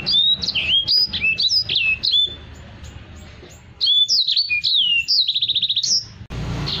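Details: Caged Black-throated canary in full, energetic song, used as a tutor for other cage birds: quick high whistled notes sliding down and up, bursts of rapid buzzy trills, a quiet gap midway, then more whistles.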